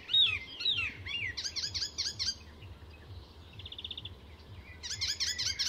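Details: Icterine Warbler at Fysingen, Sweden, weaving borrowed calls into its song: swooping whistled notes, a quick series of harsh chirps, a soft buzzy trill, then more fast repeated high notes.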